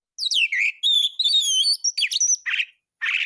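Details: Oriental magpie-robin (kacer) singing prolifically, a full filler tutor recording for training other birds: rapid varied whistles sliding down and up, high thin notes, ending in two short buzzy bursts after a pause.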